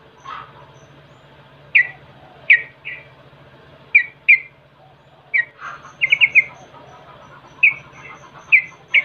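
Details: Yellow-vented bulbul, as a lure to make birds sing: scattered bright chirps in ones and twos, then a fast little cluster of three or four notes and more spaced chirps, over a low steady hum.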